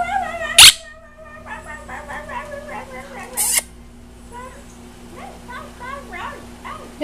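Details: Pet green-winged macaw talking, telling the household dogs to "zip it": a run of voice-like, harmonic syllables with wavering pitch, broken by two short, harsh broadband bursts near the start and middle, over a steady low indoor hum.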